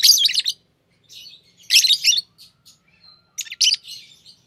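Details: Pair of green Fischer's lovebirds chattering: three loud clusters of shrill buzzy chirps with softer twitters between them.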